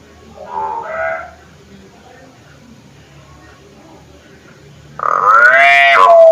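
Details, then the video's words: Hill myna calling, used as a lure. Two soft, mellow, double-toned notes come first. After a long gap, a loud, harmonic, nasal call rises and then ends in a sharp, high whistle. "pancingan suara burung beo"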